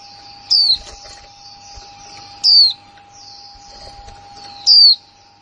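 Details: Female white-eye, newly kept, calling in the 'kick mộc' style: three crisp, high, descending chirps at roughly two-second intervals, backed by a low continuous hum and light background rustling.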